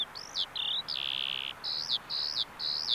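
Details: Eurasian skylark on farmland at a bulb farm in Saanich, British Columbia, singing clear high whistles, including a sustained flat note of about half a second, followed by short evenly spaced notes.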